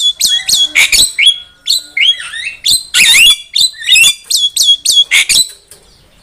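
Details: Javan myna singing as a lure for trapping birds, a loud jumble of harsh squawks, high whistles and rasping chatter, with short pauses between bursts.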